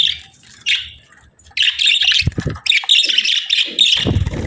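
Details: A pair of budgies in breeding season: one short chirp, a pause, then a long busy stream of high warbling, buzzy chatter with a few low knocks mixed in.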